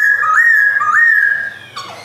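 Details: Captive male white-cheeked black-throated laughingthrush, Jogjakarta, 2021, singing: a loud, pure, sustained whistle held level with two quick dips and rises, ending in a brief rough note.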